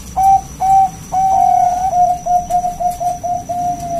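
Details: Loud local zebra dove singing in the wild, meant to entice other doves to sing: three separated coos, a longer sustained note, then a quick run of soft repeated notes.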